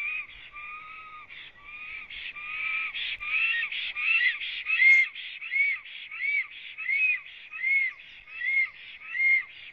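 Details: Male black stork at its nest in Latvia, morning of 26 April 2017, singing after arrival: steady rhythmic wheezing phrases, each with a rising whistled squeal, repeated about every 0.7 seconds and swelling in loudness toward the end.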